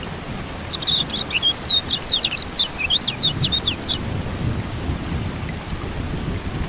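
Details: Kecial kuning, the lemon-bellied white-eye, in a rain-therapy recording for birds that have stopped singing: fast chattering phrase of thin, high chips and short slurs lasting about three seconds, with rainfall and distant thunder throughout.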